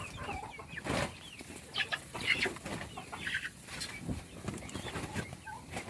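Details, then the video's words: Young chickens during a meal give overlapping shrill peeps over steady rustling and scratching noise, with a few sharper chirps standing out. "صوت الدجاج // little chickens chirping SOUNDS"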